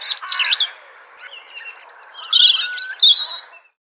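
A robin sings high, varied phrases: a quick tumble of sweet, twittering notes, a thin drawn-out whistle, then a bright, scratchy flourish. No other sounds.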